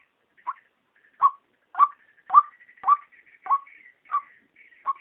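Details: Female white-breasted waterhen daytime lure call, used to draw waterhens in: about nine short, strained notes over five seconds, each a rising then falling 'kruak', spaced irregularly, with faint higher wavering tones between them.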